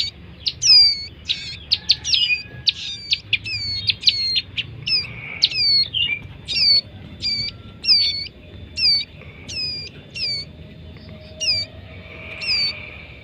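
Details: Bar-winged prinia chicks in a long series of high, clipped, harmonic squeaks, crowded and rapid at first, then spacing out to about one every second, over a quiet background.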